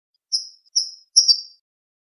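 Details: European goldfinch singing cante limpio, the clean song used for training captive birds, 2020: three separated high whistles, thin and sliding slightly down, the third longer with a wavering end.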